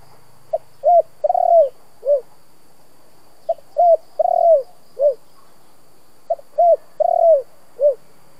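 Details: Spotted dove giving 'kích bổi' cooing in local 'giọng thổ' voice, used to excite decoy birds into calling. Three matching phrases roughly every three seconds: clipped lead note, mellow coo, long burring coo, falling end coo.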